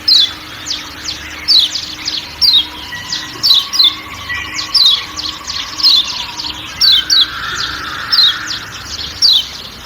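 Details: High falling chirps of a Lombok white-eye (kecial kuning), steadily repeated every second or so, some in pairs, with a low forest hum and faint other background sound.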